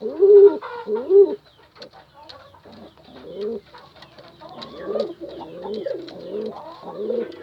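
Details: Pigeon calling a female: two loud, low arched coos open, then softer, irregular cooing notes continue over a faint background.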